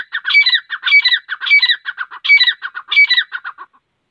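Grey francolin giving loud, harsh, rattling call phrases repeated about every 0.6 seconds, each with a sharp high note, fading out after under four seconds.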